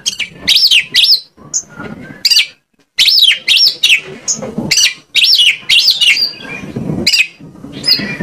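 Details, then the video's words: White-rumped shama song used as a lure to make other shamas sing: loud bursts of rich, swooping whistled phrases, several arching up and down, separated by short pauses, with faint low rustling beneath. "PANCINGAN KACER AGAR ON MAU NGOBRA !! KACER MANAPUN PASTI LANGSUNG NYAUT..."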